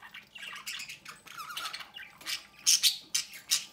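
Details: At the nest door a pair of captive budgerigars feed their young. The chick's loud, hissing, raspy squawks build toward the end, over softer warbled notes.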